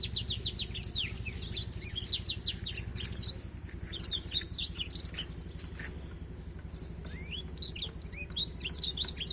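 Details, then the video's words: Black-throated canary singing as a tutor for a young canary: rapid high chips and whistled slurs, busiest in the first half, then sparser rising notes, with scattered clicks and a low continuous hum. "proses belajar burung kenari isian burung afrika blacktroath"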